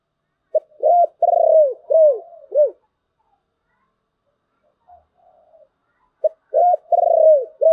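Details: Deep rhythmic cooing of a spotted dove sung in the 'thổ bầu' style, two phrases of four to five arched hollow notes, the middle note longest and wavering, separated by a pause.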